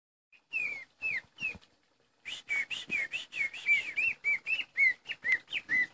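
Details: Caged greater green leafbird, missing a leg after it was caught in its cage, still singing vigorously: a single short note, then a rapid series of clear whistled notes, slurred up and down, after a brief pause.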